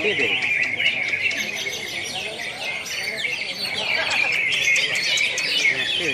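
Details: ['Caged greater green leafbirds competing in class A at a national singing contest in Pontianak, West Kalimantan, 3 April 2016, pour out continuous bright twittering and sharp high warbles together, with faint crowd murmur beneath.']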